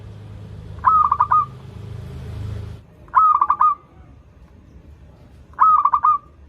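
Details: Zebra dove of local stock in full song, used as a lure for learning birds; three rolling, stuttered cooing phrases each closing in a held note, spaced roughly two and a half seconds apart, low rumble early on.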